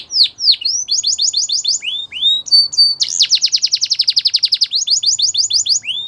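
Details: Canary singing a rapid, varied song: clear descending whistled notes, then fast trills of repeated sweeping syllables at around four to five per second, a brief steady whistle, and another dense rolling trill near the end.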